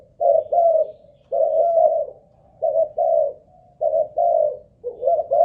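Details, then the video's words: Caged spotted dove of the Malaysian line, kept as a ground decoy bird and tested for singing stamina, gives low husky coos in two-note phrases repeated about every second and a half, with a quiet indoor background. "Cu Gáy Mồi Đất || Test nước bền chim cũng thấy khá ổn"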